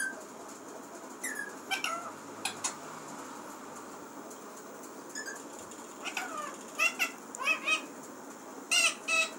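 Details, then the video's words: Parrot kept as a talking pet, heard indoors with scattered squawky syllables early, a quiet stretch, then a quicker run of harsh, wavering chatter toward the end. "बोलने वाला प्यारा तोता"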